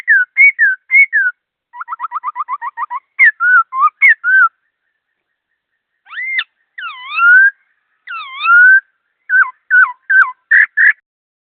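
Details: Bird song of varied clear whistles: quick paired notes, a rapid run of short repeated whistles, then long swooping and rising slurred phrases and a closing burst of short notes, in a quiet setting.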